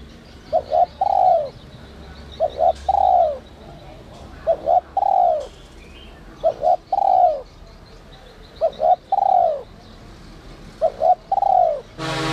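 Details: Spotted dove calling in the 'giọng còi' whistle-voice style: six repeated phrases about every two seconds, each a short double note leading into a long falling coo, ending with a sudden loud burst of noise.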